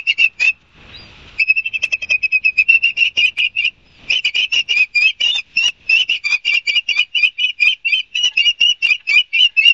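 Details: Ospreys at a nest camera in Barnegat Light, New Jersey, recorded 5 September 2022 and played at fast-forward speed; rapid strings of short, high, whistled chirps, about five per second, broken by brief pauses near one and four seconds.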